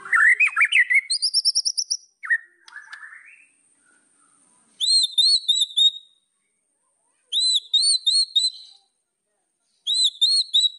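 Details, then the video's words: White-rumped shama tutor song meant to rile rival birds: opening rising whistled slurs and a brief scratchy phrase, then three bursts of short, ringing upslurred whistles, four or five per burst, separated by silent pauses. "MASTERAN MURAI BATU. AMPUH PANCING EMOSI LAWAN"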